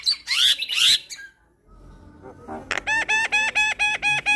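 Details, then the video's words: Javan myna song for stimulating stressed mynas: loud scratchy screeches, a brief pause, then a steady series of ringing, nasal, evenly spaced notes repeated about twice per second. "Terapi Burung Jalak Stres Macet Bunyi - Ocehan Jalak Kebo Bikin Ribut Jalak Yang Dengar"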